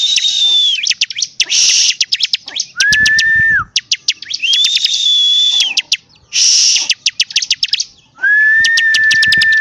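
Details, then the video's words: Bar-winged prinia song: a steady whistled note near the top of the range, then a lower flat whistle. These are mixed with rapid dry clicking trills and loud buzzy bursts, repeating in cycles of about three seconds. "CIBLEK GACOR DORRRR!!!"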